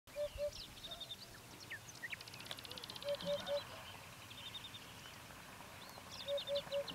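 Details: Eurasian hoopoe in Bulgaria in spring 2015 sings soft, low, hollow 'oop-oop-oop' notes in quick groups of two or three, repeated about every three seconds, with other birds chirping behind.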